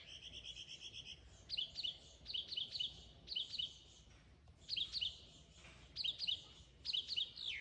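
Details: Mimicking Mockingbird song: a high, bright trill opens, followed by crisp two-part chirping phrases repeated in tight bursts, separated by short pauses, over faint background noise.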